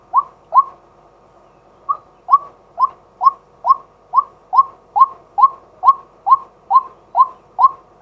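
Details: Male white-breasted waterhen decoy calling by day, recorded live: two notes, a brief pause, then a long, even train of about fifteen upslurred kwak notes, about two per second.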